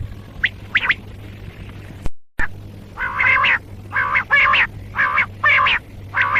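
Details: Common quail giving a few thin high notes, a brief dropout, then a run of rasping broadband bursts repeated about every half second to second, with a low background hum.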